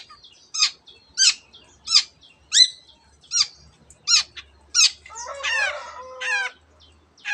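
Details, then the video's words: Long-tailed shrike mimicking canary and many other birds. A steady series of loud, downslurred, whip-like notes comes about once every 0.7 seconds, then gives way to harsh, descending, nasal squawks with a rasping quality. "cendet gacor nembak nembak rapat isian kenari dan banyak jenis burung yang masuk masteran"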